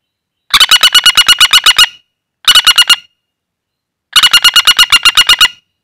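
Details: Common flameback, wild-caught and calling while held in the hand: three loud, harsh rattles of rapid, evenly spaced notes, about twelve, six and twelve notes long, separated by brief silences.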